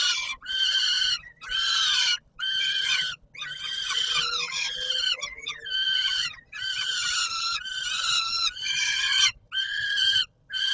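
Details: Peregrine falcon calls during evening feeding at Warsaw's Palace of Culture and Science, Poland, 17 July 2022: rough, nasal screeching bursts, some with slurred falling ends, about one each second, steady and insistent.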